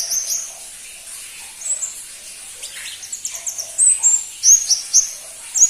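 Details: Crimson-breasted flowerpecker, called pentis pelangi, a bird rarely kept by songbird hobbyists: very high, thin whistled notes, sparse at first, then a quicker run of sharp, slurred ticks and short whistles in the final seconds.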